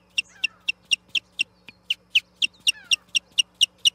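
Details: Osprey on a nest platform, fighting an intruder over the nest, 8 June 2021; sharp, high whistled chirps come in a rapid, fairly even series, about two per second, over a faint steady low hum.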